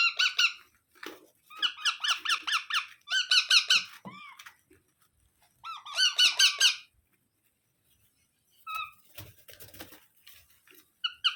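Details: Baby parrot chattering in rapid bursts of harsh, nasal, evenly repeated calls, four long series broken by pauses and a few softer scattered notes.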